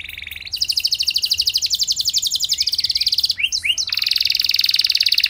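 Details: Canary song intended to set off answering song from other canaries: a short trill, then a long rapid rattling roll, two quick slurred notes, and another sustained high rolling trill.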